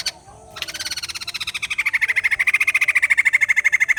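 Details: White-crested laughingthrush song: after a brief quiet start comes a rapid, steady run of pulsed harmonic chattering notes, about three per second. The notes rise in loudness and settle into an even, ringing cackle that continues to the end.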